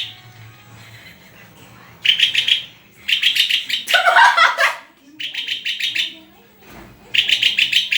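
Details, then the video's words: {'caption': 'White-rumped shama song: fast stuttering phrases of high, rattling notes, with a louder harsh broadband burst in the middle and short silent gaps between phrases.'} "SUARA INDAH BURUNG MURAI GACORRRRR!!!"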